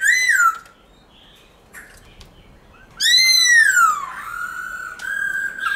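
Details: Black-throated laughingthrush singing in forest style: a loud, rich, slurred whistle that rises and falls, a pause, then a longer sweeping whistled phrase that dips and levels off into a sustained note.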